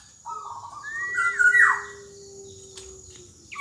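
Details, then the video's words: Black-naped oriole song in the gacor dor jonbreak style, meant as a tutor for young birds: one rich whistled phrase climbing in steps, then sweeping down in a rough buzzy slur, with a soft low hum behind. "Burung Kepodang Emas Gacor Dor Jonbreak Sangat Cocok Buat Masteran Kepodang Yang Baru Belajar Bunyi"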